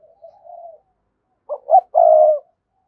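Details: Spotted dove calling a rival bird: a faint low murmur, then two quick notes and one long, loud, steady coo.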